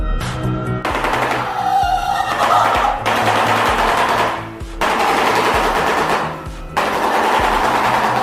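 Shoebill giving a loud, rapid, machine-gun-like rattle in bursts, pausing briefly between bouts, with background music throughout.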